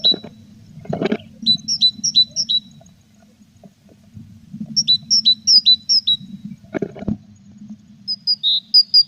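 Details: Mother tit and chicks at a nest box on 21 April: three bouts of quick repeated two-part high notes, each a bright upper note sliding to a lower one, separated by dull thumps in the box.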